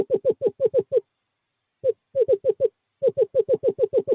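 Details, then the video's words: Courting-season male screech owl at an owl box calling to a female, February 2023; quick series of hollow, wavering hoots, a pause of almost a second, then two more rapid runs of the same soft trilled notes. "Male screech owl calls female to owl box 5"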